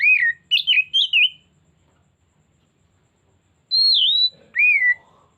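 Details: Kacer, the Oriental magpie-robin, sings as a lure: quick sweet warbled notes, a pause of about two seconds, then two long clear whistles, one high and falling, one lower, followed by a soft low rising sound.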